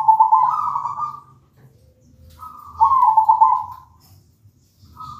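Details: Zebra dove song used as a lure to prompt other zebra doves to sing: a mellow, rolling coo held near one low pitch, each phrase about a second, repeating every couple of seconds over a faint low hum.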